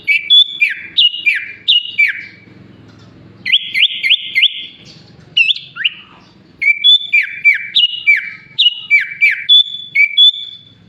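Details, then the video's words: Sooty-headed bulbul, its song filled with copied phrases of Sunda pied chat, green leafbird and Asian pied starling, pours out loud descending whistles, a burst of fast repeated upswept chips, then a long even series of paired whistled notes. "Burung kutilang gacor isian paling mewah"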